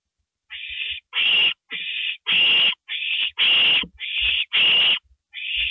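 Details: Nighttime owl recording from April 27, 2012, 2:05 AM, during delivery of a gopher; a steady run of nine raspy calls, roughly one per second, broad hissing screeches alternating with cleaner, narrower rasps, with soft thumps underneath.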